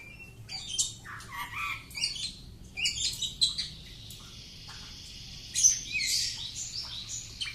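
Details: Home-kept Oriental magpie-robin in a courage test mixes scratchy chattering notes and whistles, then holds a long thin buzzy trill before ending with loud sharp squeaks; faint low hum behind.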